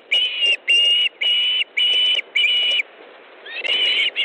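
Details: Osprey at its nest in Estonia, 18 August 2014, early evening fish delivery by the male to the female; six loud, steady whistled notes about half a second apart, then a rising whistle after a short gap.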